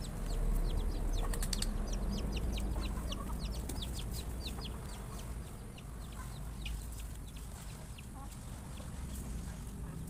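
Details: Many farm chickens feeding, startled by a noise while eating; a dense run of short, high, downward-slurred peeps repeated about four times a second over a steady low rumble of background noise.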